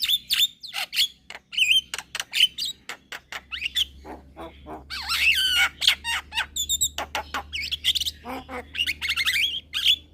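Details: Juvenile Javan myna singing hard while bobbing its head. A long stream of sharp clicks, squeaky whistles and rippling trilled phrases, with a loud chattering burst midway and a low steady hum underneath.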